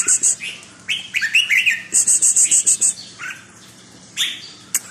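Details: Red-whiskered bulbul kept as a cage bird: short liquid warbles rising and falling, alongside a run of about seven evenly spaced, very high pure pips and a faint background hum.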